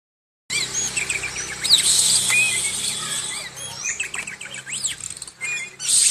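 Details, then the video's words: Oriental magpie-robin singing while moulting, still in full voice: a lively run of high whistles, sharp upward and downward sweeps and chattering notes, with steady high background hiss. "Walaupun Mabung, Burung Kacer ini Tetap Gacor"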